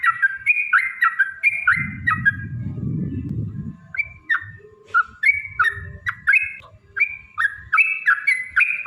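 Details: Yellow-vented bulbul song used as a lure to provoke singing and fighting, in the long rolling 'ropel panjang' style: paired whistled notes that drop and rise, repeated in a quick stuttering series, with a steady faint tone and low rumbling in the middle.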